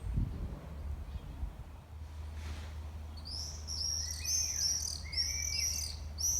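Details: Common swifts, summer visitors seen from mid-May, utter piercing screams: a quiet start with low thuds, then from three seconds a dense chorus of shrill, buzzy high screeches from several birds, with a lower trill beneath.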